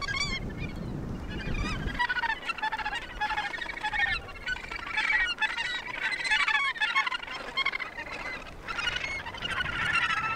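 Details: Australasian gannets calling at the Point Danger breeding colony near Portland, Victoria, Australia: many harsh, nasal, overlapping croaks. A low rumble of wind fills the first two seconds, then the massed calls continue without a break.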